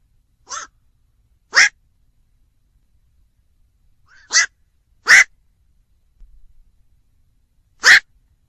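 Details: Black-crowned night heron calling with coarse, barking croaks, five notes in loose pairs with gaps of up to three seconds; quiet surroundings.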